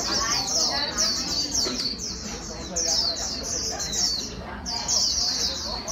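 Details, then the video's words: White-eye song trained for speed, bright high twittering phrases, each lasting a second or two with short gaps between them, over soft background noise. "Kích chim vành khuyên bổi mau líu"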